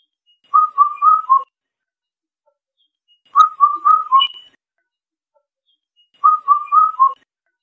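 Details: Song of an Indian cuckoo. Three repeats of a mellow four-note whistle, the final note dropping a little, spaced roughly every three seconds against a quiet background.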